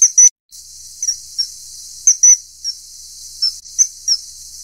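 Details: Common kingfisher giving sharp, high-pitched whistled peeps, some doubled, repeated irregularly about every half second to second, with a quiet background between notes.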